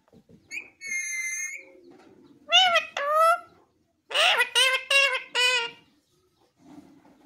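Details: Talking pet parrot (mithu) speaking: a high whistled note, then two bursts of harmonic, voice-like syllables with rising and falling inflection, separated by short pauses, over a faint low hum.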